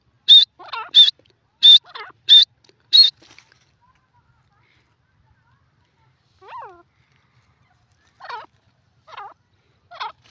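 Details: Francolin giving loud whistled notes, each paired with a lower harsh note, repeated briskly for three seconds, followed by silence and a few faint, scattered rasping calls.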